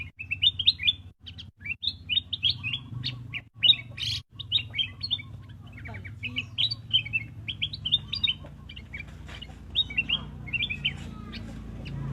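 A bulbul chirps in quick runs of bright, bubbly notes, pausing briefly between bursts, with a low hum underneath throughout.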